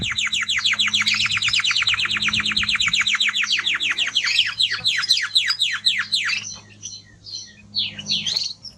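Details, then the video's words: Male timbrado canary in strong song: a long rapid series of repeated descending notes, slowing into spaced, varied phrases and trills before fading toward the end, with a faint low hum beneath. "Canary singing Strong Bird - ذكر كناري تغريد نار"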